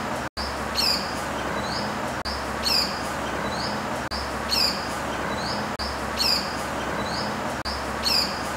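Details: Pied falconet, a sparrow-sized bird of prey also called panda bird, giving short bursts of high, thin, squeaky notes that rise and fall, repeated about every two seconds over a steady broadband hiss.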